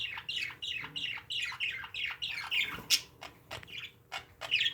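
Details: Pet parakeets calling in a rapid run of short, bright chirps, nearly three a second, each a quick downward-slurred note, closing with a few sharper, louder squeaks.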